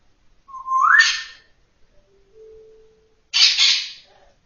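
An African grey parrot gives a whistle rising into a breathy, speech-like burst, a soft low hum, then a second raspy, word-like burst.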